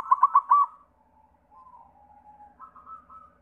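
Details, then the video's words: Song of a white zebra dove, meant to lure other doves into singing. Opens with four fast, loud staccato notes, then soft drawn-out coos that dip and rise again. "Sura Perkutut pitih PAMCINGAN SEMUA JENIS PERKUTUT"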